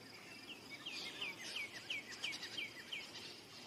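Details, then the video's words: Indigo bunting song: a quick series of high, downslurred chirps, about eight notes given at a steady pace with a faint high insect hiss behind. "Indigo bunting song / call / sounds"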